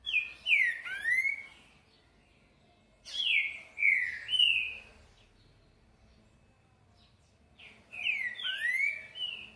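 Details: Green-winged saltator singing repeated 'boi'-style phrases, three bouts of bright, slurred whistles that drop and swoop, separated by pauses of about two to three seconds.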